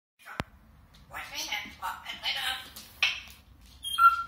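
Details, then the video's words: African grey parrot talking in what sounds Lithuanian-ish: a sharp click, then a rapid, slightly raspy run of speech-like syllables ending in a clear whistled note. "African grey parrot talking"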